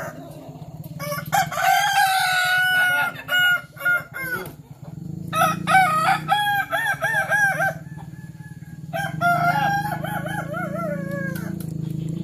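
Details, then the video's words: At a practice crowing contest in Sawah Lunto, Kukuak Balenggek roosters deliver three long multi-part crows, each a chain of looping, stepped syllables lasting about three seconds, separated by quieter gaps with a low hum. "Latber Ayam Kukuak Balenggek di Sawah Lunto"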